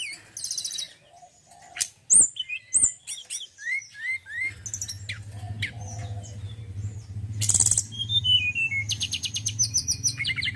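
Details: Male mountain forktail (tledekan gunung) singing high slurred whistles, repeated upslurred notes and buzzy rattles. A steady low hum runs underneath from the middle onward.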